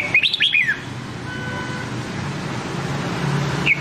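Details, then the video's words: Training song of a red-whiskered bulbul in Nam Đông style: one rich warbled phrase of rapid up-and-down whistled notes at the start, a faint tonal hum, then the opening note of another phrase at the end. "Luyện Giọng Chào Mào Má Trắng Bằng Giọng Chào Mào Nam Đông Hay Nhất 2022"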